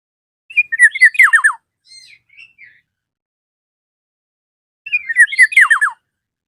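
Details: Black-naped oriole calling to a rival: two matching bursts of rapid, steeply descending slurred notes about four seconds apart, with soft short notes after the first.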